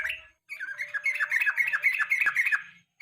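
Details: Lure song of a yellow-vented bulbul in the evening: a brief note, then a continuous fast twittering chatter of short descending notes lasting over two seconds.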